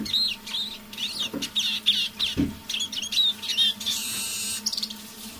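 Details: Eurasian siskin kept as a decoy bird, singing quietly in the evening: arched whistled notes and rapid twitters, a couple of soft knocks, and a brief rushing noise near the end.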